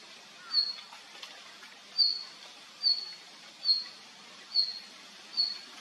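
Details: Male red-flanked bluetail repeating a brief, high, thin call note six times at a roughly steady pace of about one per second, each note a quick sharp tick, with soft outdoor hiss throughout.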